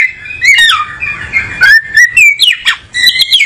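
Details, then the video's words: Oriental magpie-robin (kacer) in song: sweet whistled notes that dip and rise, mixed with scratchy buzzes and clicks, delivered in rapid phrases over about three seconds. "Burung Kacer nyari posisi enak"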